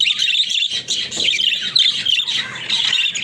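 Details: Pet budgerigars, described as talking budgies, babble in a dense, buzzy warble of chirps and squeaks that runs almost without a break.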